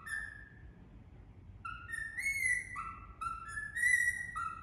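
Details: Indian ringneck parrot singing a run of clear whistled notes stepping up and down in pitch, some phrases sliding upward, with a low steady background hum.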